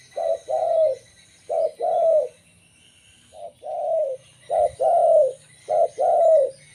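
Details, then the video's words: Zebra dove of a local strain, its song used for luring wild zebra doves. Paired soft coos, each a brief note followed by a drawn-out falling one, repeated about every second with short pauses and faint background noise. "suara burung perkutut lokal"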